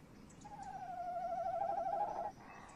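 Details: Tawny owl calling on a nest box at night, 30 May 2015, with male and female present; a single long, evenly wavering trill of about two seconds that swells toward its end.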